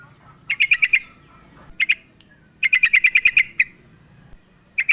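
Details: Female sooty-headed bulbul calling the male, played as a lure to spur a lazy male to sing; fast strings of clipped, sharp chirps, one run of about eight notes, other shorter groups, with a low rumble beneath.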